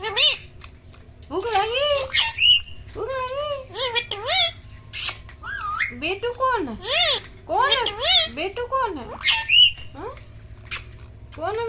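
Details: Pet Indian ringneck parrot, a green parrot, calling and chattering indoors. Varied rising and falling squawks and whistled slurs with harmonic bands, some screechy high notes, over a steady low hum.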